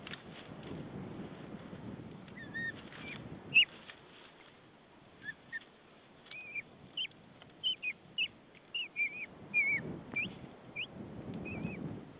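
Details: A nesting female white-tailed eagle in Saunja, Estonia, on a March 2013 afternoon, calling repeatedly for her mate to come and relieve her. About fifteen short, sharp, high yelping notes come in loose bursts over a steady low wind rumble.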